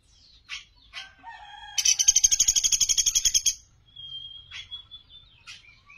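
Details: Master recording of a Sunda pygmy woodpecker for tutoring songbirds: thin squeaks and a short whistle lead into a rapid, even, buzzy rattle of about eighteen pulses, then a thin steady whistle and sharp ticks.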